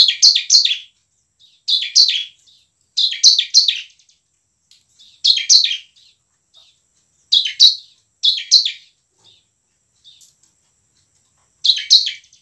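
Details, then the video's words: Lively bar-winged prinia song of the ngebren and nembak type, used to trigger lazy birds to sing; scratchy clusters of two or three notes repeated about every one to two seconds. "CIBLEK GACOR penuh emosi ngebren dan nembak cocok untuk pancingan ciblek malas berbunyi"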